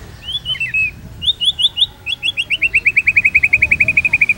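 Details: Shama song used to prompt and tutor captive shamas. A few slurred whistles lead into a fast, even trill of short high notes that speeds up and holds steady to the end.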